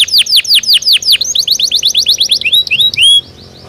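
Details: Belgian canary in natural song, rapid descending chips in a quick series shifting into a faster higher trill, ending on a couple of rising whistled slurs before a brief quiet end.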